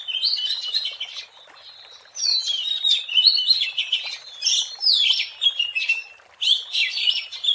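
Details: Wild Oriental magpie-robin in strong song, recorded to attract birds: a whistled phrase, then a short near-silence, then loud varied bursts of slurred whistles and chirps, with another brief break before the final phrase.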